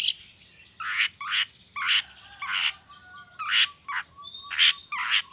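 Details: Long-tailed shrike lure sound in the morning to encourage shrikes to sing; spaced harsh chattering notes about every half second, over faint thin whistles and a low background murmur.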